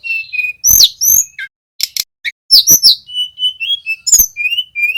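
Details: Young male Little pied flycatcher practising the 'ngeroll' trill, a lure for training songbirds. Loud sharp clicks and chips mix with high sweet whistled notes, some rising, others steady, strung together over several seconds.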